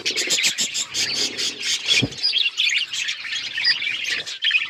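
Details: Budgerigars, several birds, chirping continuously: dense bright warbling and chattering twitters with short squawky notes, steady overlapping flock chatter throughout.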